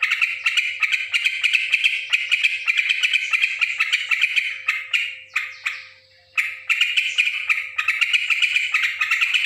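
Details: Noisy yellow-vented bulbul chatter: continuous harsh, scratchy notes repeated quickly at a mid-high pitch, briefly thinning and falling quiet for under a second near the middle before the busy stream resumes.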